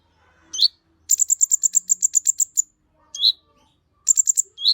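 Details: High-pitched Kolibri Ninja sunbird song used to stimulate other birds of its kind. A long run of rapid, evenly spaced sharp chips is broken by brief rising-falling whistles. Background is otherwise quiet.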